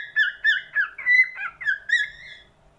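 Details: Cockatiel song phrase of short whistled, wavering notes, several quick slurred rising and falling syllables followed by a longer sustained whistle that fades out.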